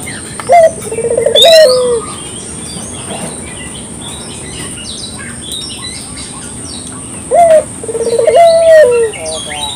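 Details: Spotted dove lure recording: two widely spaced phrases, each a quick rising note followed by a pulsed coo and a long falling coo, separated by several quiet seconds with faint bird chatter.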